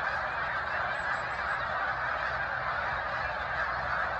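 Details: Massed snow geese on the lakeshore of Cayuga Lake, Seneca Falls, New York, in March 2021; a thick, even din of overlapping yapping honks from many birds, with no pauses.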